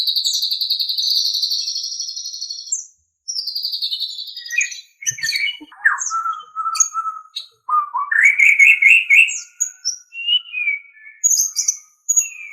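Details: Captive-bird training recording of white-rumped shama (murai batu): an opening sustained high buzzy trill, then scattered clicks, short low whistles and rising warbled phrases with brief pauses.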